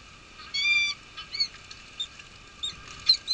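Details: Peregrine falcon at a nest with at least one egg, Nottingham Trent University, UK, 23 March 2013, unusual snowfall, male relieving female at changeover; a drawn-out harmonic wailing note, then scattered short sharp calls.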